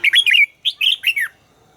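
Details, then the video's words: Red-whiskered bulbul in song training gives one close, loud phrase of fast, sweet whistled notes that swoop up and down, ending in a falling slur. "luyện giọng chào mào hót hay - căng lửa, chào mào hót quá phê"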